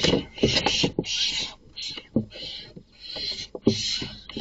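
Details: Nest box scene at night: a strange male barn owl attacks another male's chicks. Loud breathy screeches overlap one another in quick succession, mixed with sharp knocks against the wooden box.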